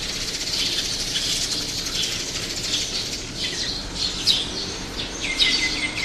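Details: Small birds by a roadside, several kinds, sparrows among them: thin high chirps and a few clear whistled notes scattered over a steady hiss of outdoor background noise.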